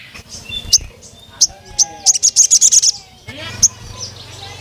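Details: Sogon, the crimson sunbird, calling a rival male: a few scattered high 'cuit' chips, then a brief rapid string of about eight sharp notes, followed by more isolated chips and a low hum.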